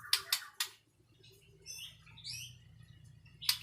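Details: White-rumped shama song: three sharp clicking notes, a quiet pause, then varied high warbled and slurred notes, ending with another sharp click, over a low background hum.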